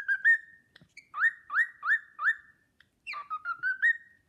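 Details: Whistling cockatiel performing the Sportpalast Waltz at home, pure melodic notes that slide upward one after another, a held final tone, a brief break, then another lilting phrase closing on a sustained whistle.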